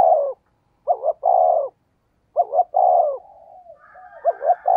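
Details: Spotted dove 'thúc gù' decoy call, 'giọng thổ đồng' style at speed. Paired quick notes run into a long mellow coo, heard as about three phrases, with a faint trailing murmur near the end.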